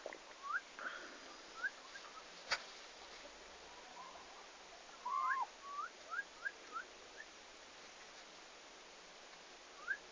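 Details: On 11 August 2015, the day they reached the farm, the first turkeys utter a quick series of short rising whistled peeps, clustered mid-clip, with a few isolated peeps before and after.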